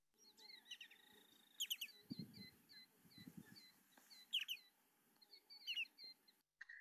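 Short-billed Dowitcher giving quick, high, piping flight calls in clusters of two or three, a soft laser-like tu-tu-tu, over a low rumble of background noise.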